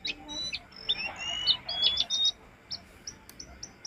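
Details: Jongkangan training song for caged birds: a few scattered high chirps, then a rising whistled phrase and a bright trilled burst, followed by short, evenly spaced high clicks.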